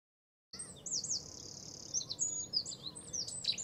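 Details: Cetti's warbler, recorded in 2017, singing a dense rush of high, sharp chattering notes that starts abruptly after half a second of silence and runs on with several emphatic accented notes, over a low background rumble.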